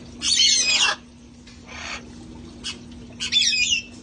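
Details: Parrots from a sanctuary flock having fun outdoors: a loud, harsh screech, a softer raspy squawk, a brief click-like note, then another strident screech with whistled overtones.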